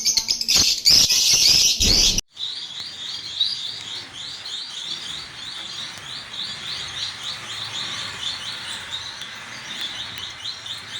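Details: Breeding male and female parrots, with albino cockatiels among them: two seconds of loud, harsh chattering bursts, then a steady series of high, short chirps repeated about three times a second.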